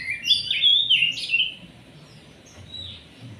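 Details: Oriental magpie-robin singing energetically to lure other birds: a short burst of rich whistled, slurred notes lasting about a second and a half, then near quiet with a faint far note.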